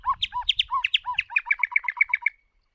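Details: A decoy White-rumped shama sings as a voice-training model. It gives varied chirps and slurred notes that speed into an even, bright trill of about ten repeated notes, then stops cleanly.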